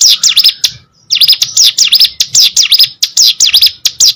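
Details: Hill prinia, likely a caged bird, sings a fast run of high, sharp V-shaped chirps, dipping and rising, with a brief pause near the first second before the chattering resumes.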